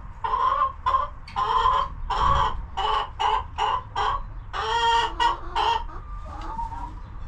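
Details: Domestic chickens relaxing and eating in their coop on a homestead farm: a rapid, irregular series of short, nasal clucks, about fourteen in seven seconds, growing softer and more drawn out near the end.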